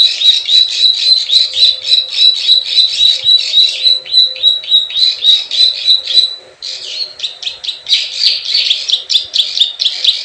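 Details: Plain prinia 'klik klik ciwah' lure: a long series of quick, dry ticking notes with a thin whistled tone running through, a brief pause after six seconds, then harsher buzzy chirps resume.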